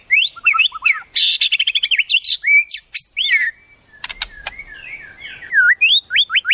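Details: Varied white-rumped shama song with wild-bird mimicry for training other birds: fast rolling whistles, twangy slurred notes and quick chattering phrases, a brief quieter gap, then bright rising and falling whistles.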